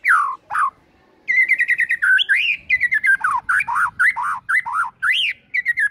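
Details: White-rumped shama song as a morning lure for making birds sing: rich, varied whistled phrases with rapid trills and swooping rising and falling notes, almost continuous.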